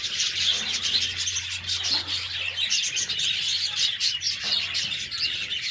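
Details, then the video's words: Budgies chirping together in a constant, busy flock chatter of sharp high tweets and raspy warbles, with a faint low hum underneath. "Budgies Birds talking sound Birds chirping sounds"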